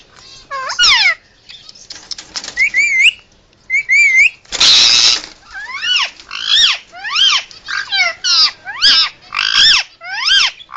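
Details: Pet Indian ringneck parakeet making emergency sounds: wavering whistles and a noisy burst early, then a steady series of sharp, downward-sweeping squawks repeated about twice a second.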